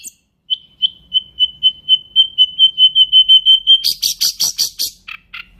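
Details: Nightingale delivering a long, steady series of identical whistled notes that grow louder, then breaking into loud harsh buzzy pulses and a fading rattle.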